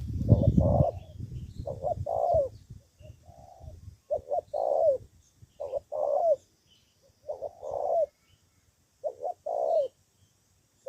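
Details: Spotted dove decoy bird from Cà Mau, Vietnam, used for fighting and answering rivals, giving repeated cooing phrases, each two short notes then a longer slurred coo, roughly every two seconds; thumping handling noise at the start and faint high hiss.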